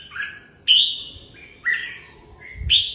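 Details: Red-whiskered bulbul giving three short, separate phrases about a second apart, each a sharp slurred whistle that starts loud and fades, set against a quiet room-like background.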